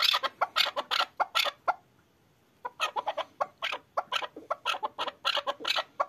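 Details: Excited hunting chukar partridge calling: loud, rasping chuck notes delivered in a quick run, falling silent for nearly a second, then starting again in an even faster, steady clucking sequence.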